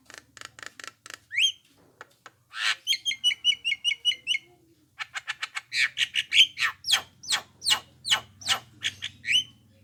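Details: Javan myna playback call meant to make other mynas respond: rapid rasping bursts, a run of quick clipped chirps, then a long varied sequence of harsh notes and upward-sweeping squeaks, with a low hum in the background.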